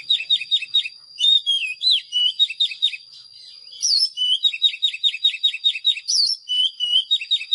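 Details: Oriental magpie-robin in song: rapid runs of short repeated whistled notes, sweet and slurred, delivered in fast series with a short gap midway and a steady high tone behind.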